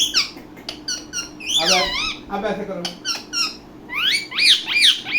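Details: A pet ringneck (rose-ringed) talking parakeet chatters in high, squeaky, speech-like bursts with swooping whistled notes, several phrases in quick succession; a faint steady hum runs underneath.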